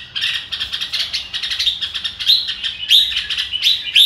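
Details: Red-whiskered bulbul singing in the "ro kích bổi" style: quick, busy chirping phrases with sharp rising whistles repeated roughly every half second toward the end.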